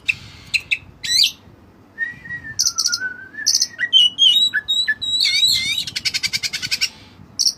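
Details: Continuous song of a white-breasted kacer with cililin phrases: sharp clicks, a long wavering whistle, then quick rising and falling whistled phrases leading into a rapid buzzy trill of repeated notes.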